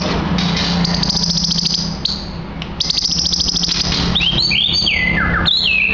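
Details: White-rumped shama (Medan murai batu), a caged bird about two years old at a Sidoarjo coffee shop in Indonesia, sings a rapid buzzy repeated rattle, then swooping whistled slurs, over constant background noise.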